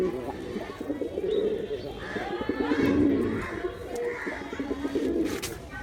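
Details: Male pigeon uttering soft, rumbling coos in several short bursts, with murmuring background sounds.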